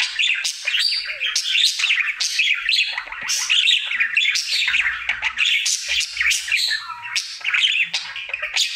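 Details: Budgerigar, a male pet, in his daily singing routine: nonstop fast chatter of scratchy chirps, clicks and squeaky notes, with a short low whistled slur near the end.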